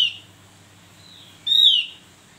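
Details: Javan grey-throated white-eye giving one strong, bright whistle that slides down in pitch, preceded by softer fading whistled notes, against a quiet background with a faint low hum.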